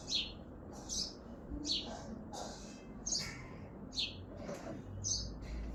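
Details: High, short sparrow chirps repeated roughly every second from a balcony in Hazaribagh, India, with a continuous low rumbling background.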